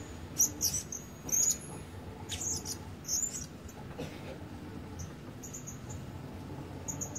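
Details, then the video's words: Blue-crowned hanging parrot used as a decoy bird for luring, still not calling at full strength; a busy run of sharp, high-pitched chirps and squeaks, irregular and closely packed, then scattered fainter peeps over a low rumbling background. "Denak Pemikat Burung Serindit Dada Merah Belum Penuh Cuba Suara"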